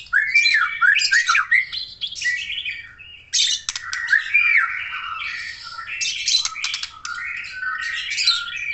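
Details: Aceh white-rumped shama singing energetically, a dense run of fluty whistles, quick up-and-down slurs and scratchy buzzing notes with barely a break between phrases.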